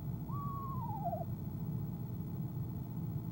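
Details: Single quavering trill from a female eastern screech owl, dropping gradually in pitch over about a second, recorded by camera in her nest box on the evening of 25 January 2015 before she left; faint low hum behind.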